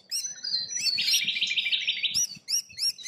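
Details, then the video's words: Australian rainbow lorikeets in the wild: a rattling, buzzy trill of high notes runs beneath sharp repeated shrieks, several calls per second. "Australian Rainbow Lorikeets"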